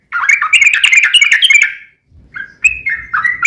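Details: Yellow-vented bulbul in long lure song for other bulbuls: a fast, dense chattering phrase followed by a pause and a few looser bubbling, downslurred notes, with faint low rustling.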